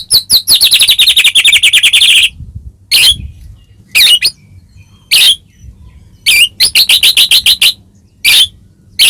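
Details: White-rumped shama (murai batu, Medan type), song used as a lure to provoke caged shamas into singing: a fast run of about twenty sharp, high, harsh notes, then short separate bursts of rapid chattering notes with brief silences between.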